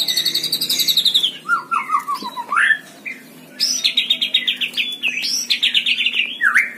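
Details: White-rumped shama at a songbird contest, used as tutor song: high, buzzy trills, a descending series of quick notes, and then bright, rapidly repeated trilled phrases ending in a swooping whistle.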